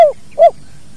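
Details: Spotted dove, natural training recording, two short downward-slurred coos in quick succession from the 'kuk dua' call, with low background hum.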